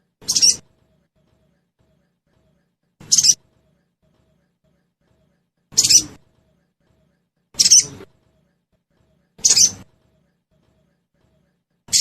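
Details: Sogon lure sound to get a caged bird calling quickly: six sharp, grating high bursts at uneven intervals of about two seconds over a silent background.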